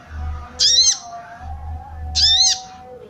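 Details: Arousal call of a female sooty-headed bulbul aimed at males; two rasping, buzzy notes with rising-falling shape about one and a half seconds apart, steady low hum beneath.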